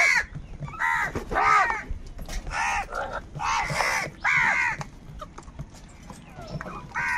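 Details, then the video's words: Crows quarrelling over food produce a busy run of harsh, nasal caws, several birds overlapping at first, then thinning to a few calls amid faint background noise. "Crow bird live crowing sounds - All types of crow sounds | Crow bird unity anger and sounds"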